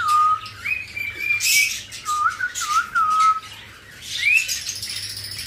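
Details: Pet cockatiel, one of a breeding pair with chicks, whistling a tune it was taught when young. Clear tonal whistled phrases glide up and down over several notes. Squawks and chirps from other cage birds sound in the background.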